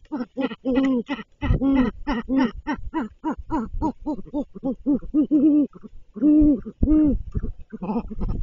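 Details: Great horned owl at a nest during a food delivery: a rapid run of short, low hooting notes with rich harmonics, some longer and steadier, tumbling over one another with hardly a pause across the whole stretch.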